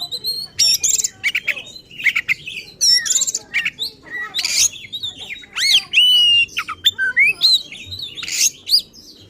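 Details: Agitated oriental magpie-robin song aimed at provoking others of its kind: rich, continuous mix of rising whistles, downslurred notes and rasping bursts, hardly pausing.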